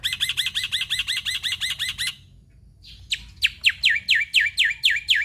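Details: Black-winged myna (jalak putih) in full chattering song: a fast series of even, repeated chirping notes about a dozen strong, a short pause, then loud descending whistled strokes repeated roughly every quarter second.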